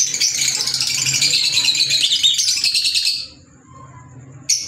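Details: Green Fischer's lovebirds giving dense, shrill, high chirping chatter for about three seconds, then near quiet with a faint thin tone and one last sharp chirp at the end.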